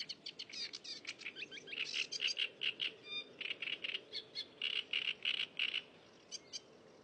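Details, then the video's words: In the wild, a cigrok sings steadily: strings of quick, scratchy phrases, then evenly repeated chirps about four per second, with a short tinkling whistle midway and a faint hiss behind. "Burung cigrok gacor di alam"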